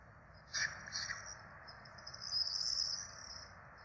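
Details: Peregrine falcon chicks, four young fed at the nest in Rome on 12 April 2024, give two sharp high squeals, then a long, thin, insistent begging whine over background hiss.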